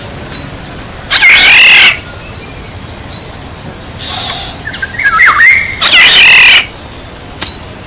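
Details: Black-naped oriole used as a decoy call: a harsh nasal mew, a soft fluty whistle phrase in the middle, then another rasping mew, all over a steady shrill background whine.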